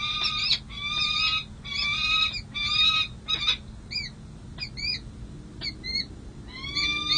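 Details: A bonded peregrine falcon pair at the San Jose City Hall nest site, 16 July 2024, after breeding. Harsh, grating wails repeat in runs and give way to short, thin, downslurred chips. The wails return at the end.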